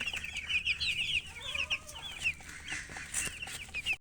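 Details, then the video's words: Baby chickens chirping: a busy, overlapping stream of high, short peeps in quick succession, with some softer lower sliding notes beneath in the middle. "Baby "Chicks Chirping" Sound"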